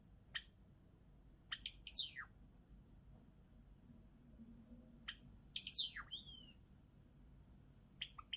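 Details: Java sparrow song, sparse and halting: isolated dry clicks spaced a second or more apart, broken by a couple of steep downward-slurred notes and a short pair of bright whistles.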